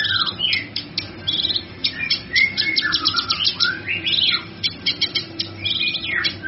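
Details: Cucak kinoi singing in full, energetic voice, used as a master recording for songbirds: bursts of quick high chirps mixed with swooping slurred whistles and short trills, steady low background hum.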